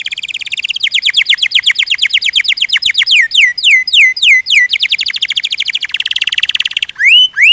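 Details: Canary training song, loud and clean: long rolling trills of repeated downward-sweeping notes, their speed changing from phrase to phrase, then a rich warbled passage and a few separate falling whistles at the end.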